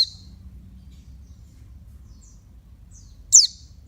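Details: Female oriental white-eye giving a stimulating call for males: a single sharp, high descending note near the end, a cut-off note at the start, faint twitters between, quiet low hum behind.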